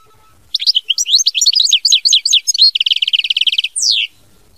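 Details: European goldfinch song: a continuous rapid tumble of high liquid twitters and slurred notes, then a fast even trill of repeated notes, closing with a downward slur.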